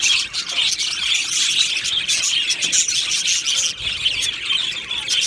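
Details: Australian budgie colony singing in an aviary: bright, rapid chirps and grating warbles from numerous birds, a thick continuous chorus with a short lull near the end.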